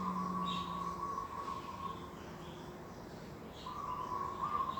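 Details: Morning birdsong in an organic garden on 11 December 2021: a long, steady mid-pitched whistle, a pause, then a second similar note, with a faint low tone and constant background hiss.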